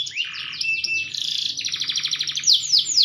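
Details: Maturing green canary in full song: a buzzy rolling trill, a brief steady whistle, then rapid repeated chips ending in bright, sharp downslurred notes.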